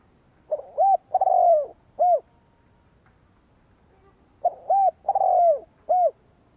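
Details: Spotted dove cooing to provoke and lure wild rival doves: two low, mellow phrases, each a short note, an arched coo, a long drawn-out descending croon and a final clipped coo, about four seconds apart, in a quiet background.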